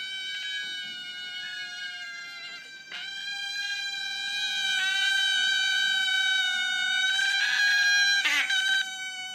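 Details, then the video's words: Pet Ducorps's cockatoo whining, overdubbed five times into a chorus: a continuous nasal whine, steady in pitch with slight dips, broken by scattered clicks and scratchy noises. "Chorus of the Whining Ducorps"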